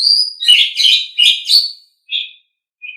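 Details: Asian pied starling, a kept songbird, singing for tutoring other pets: a burst of scratchy, chattering whistled notes in quick succession, then two brief isolated chirps after a pause.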